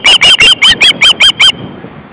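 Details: Ospreys at a nest with a pair of adults and three chicks, August 29, 2012, late afternoon: eight loud, piercing whistled notes, each with a quick slur, in a rapid even series lasting about a second and a half, then silence.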